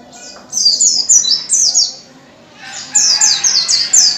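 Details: A wild-caught white-eye (pleci), used as a lure song to get other white-eyes singing, sings in two fast bursts of high, sweet twittering notes, each about two seconds long with a brief pause between.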